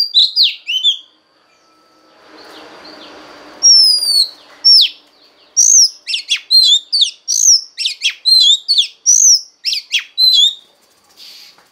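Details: Female Oriental magpie-robin voice to stir the male: scattered sharp whistled notes, a brief soft rustle, then a long lively sequence of crisp, varied slurred whistles and chips delivered about once a second.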